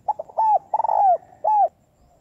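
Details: Female spotted dove cooing to stimulate males: short soft notes building into a stuttered phrase, then long sustained mellow coos gently falling at the end, clear with no other sounds.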